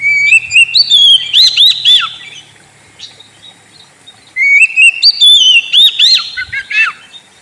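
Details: Two bursts of kacer song used to draw out a sulking bird: rising whistled notes leading into quick downslurred chips and buzzy flourishes, separated by about two seconds of near silence.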